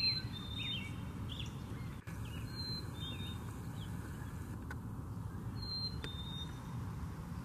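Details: Black-capped chickadee singing its pure two-note whistle, a higher note followed by a slightly lower one, repeated three times several seconds apart, with soft chirps from other birds and a steady low rumble.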